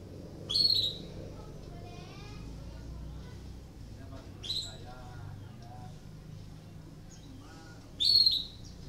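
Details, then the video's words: Canary in breeding condition, its voice used to spur other canaries to sing: strong, shrill chirps that sweep down, three main bursts plus a weaker one, with quiet rippling twitters in the gaps and a low background hum. "PANCINGAN KENARI BIRAHI , AMPUH MERANGSANG KENARI IKUT BUNYI || MASTERAN KENARI"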